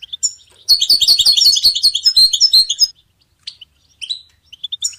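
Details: European goldfinch song used to train songbirds: one dense two-second burst of rapid, high, tinkling twitters, followed by a few isolated chirps.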